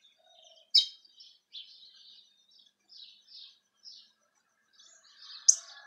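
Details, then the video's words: Cravina from Rio Grande do Norte, Brazil, singing in the campina style: faint, scattered high twittering phrases with short sharp chips and gaps of silence between them. "Cravina boa do rn canta en igual campina"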